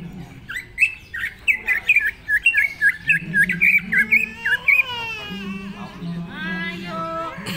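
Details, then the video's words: Greater green leafbird (cucak ijo) singing in an aggressive, fired-up 'ganas' style: a rapid run of loud, bright chirped and warbled notes for about four seconds, followed by harsher, buzzy, rasping calls over a low steady hum. "Cucak ijo ganas"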